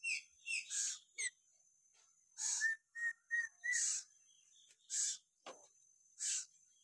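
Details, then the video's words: Papuan lory giving natural whistles: a run of short, even, clear whistled notes around mid pitch, set between harsh, breathy bursts and brief pauses. "siulan alami burung nuri paltem papua"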